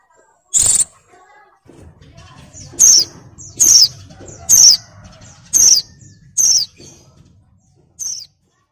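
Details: Breeding-condition female oriental white-eye luring a male, uttering sharp high downslurred chips in a run of six spaced under a second apart, followed by one more, over a low murmuring background.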